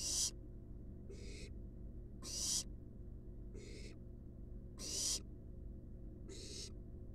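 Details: Wild barn owl nestlings at rest in a nest box: six rasping hisses roughly every 1.2 seconds, alternating louder and softer, as if from more than one chick, with steady background hum.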